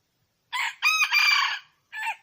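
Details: Red junglefowl in the wild crowing once: a harsh short opening note, two drawn-out rasping syllables, then a pause and a short clipped ending note, against near silence.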